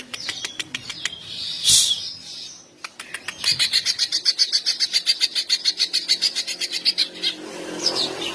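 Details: Greater green leafbird in full song to provoke other males and rouse breeding urge; scattered sharp clicks and a loud burst, then a rapid even volley of high notes roughly four per second.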